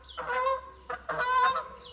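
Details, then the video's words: Geese flying over in the morning near Bath, England, in April, heading down to graze: two loud, nasal, harmonic-rich honks about a second apart, with a third starting at the end. "I love the sound of geese"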